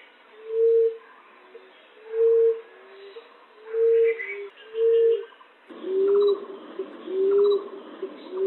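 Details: Lure recording for trapping green-winged pigeons, zebra doves and ground pigeons, with low, hollow, even coos. Four flat coos come about 1.5 seconds apart, then, after an abrupt cut, two slightly upslurred coos over a faint hiss.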